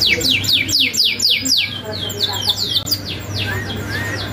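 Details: Canary song used as a tutor for untrained canaries, packed with sharp rolls: quick, bright downward-sweeping notes repeated several per second, followed by a few softer rising whistles, against a faint low hum.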